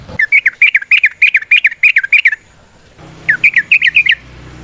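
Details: Yellow-vented bulbul in the wild, a lure recording: a quick run of about nine bubbly, wavering whistled notes, a pause, then a shorter burst of five more, with a low hum in the second half.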